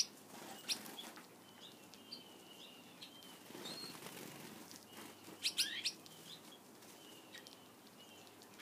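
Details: Gouldian finches kept as pets, feeding on a favourite treat: mostly quiet rustling and wing movement, with a brief cluster of three or four high sharp chirps midway.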